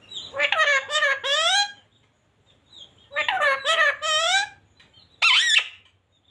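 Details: Parrots talking: two drawn-out, speech-like phrases with a rich stack of harmonics, separated by short pauses, then a brief, sharp, high-pitched squawk near the end. The setting is quiet, with no other clear sounds.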